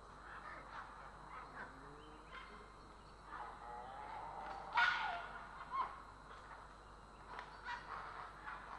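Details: Grey herons calling in Estonia on 3 April 2017, with low croaks and grating squawks scattered over a busy background, and one strong harsh burst near the middle followed by a shorter one.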